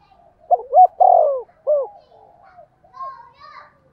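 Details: Spotted dove giving its cooing song, used as a lure for wild birds: two short clipped notes, a long drawn-out low coo, then a single curved closing note. Faint softer sounds follow afterward.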